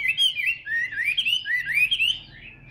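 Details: Caged Chinese hwamei singing while held on the hand, shown spreading its tail in a fighting display; a rapid, continuous run of clear, varied whistled phrases that slide up and down, loud and rich throughout, with no other sounds.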